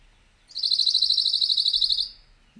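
A Pine Warbler sings one even, monotone trill of about two dozen quick high notes over a second and a half, steady in pitch throughout.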